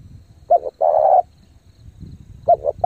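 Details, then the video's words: Spotted dove lure bird cooing in thúc gù style: a short note and a long held coo, then another phrase starting, over low background rumble. "chim cu gáy thúc gù tốc độ căng lửa kích mồi tập bổi cực mạnh"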